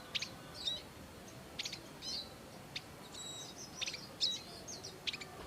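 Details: Wild Bar-winged prinias tending their young give clusters of thin, high chirps and brief whistled slurs, several notes close together, over a faint low rumble.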